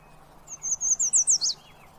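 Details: Yellow warbler singing a quick phrase of about seven high, sweet whistled notes that speed up and end in an accented down-up slur, lasting about one second against a quiet background with a faint low hum.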